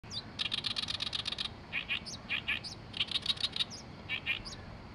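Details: An Oriental reed warbler in Oyama, Tochigi, Japan sings harsh, grating chatter: a rapid run of about ten scratchy notes, then slower croaking paired phrases, over a faint low rumble.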